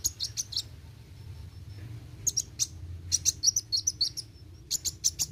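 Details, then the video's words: Kolibri wuling, or Brown-throated Sunbird, singing short clusters of piercing, high chirps separated by brief silences. A thin sustained tone links some notes, and a low hum continues beneath. "Kolibri Wuling Gacor Roll tembak"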